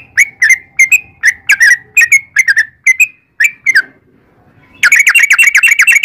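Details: Sooty-headed bulbul singing in long rapid 'ropel' style, played as a lure to prompt other bulbuls to answer: clipped, bright chirps in pairs and singles with short pauses, ending in a fast buzzy rattle of notes.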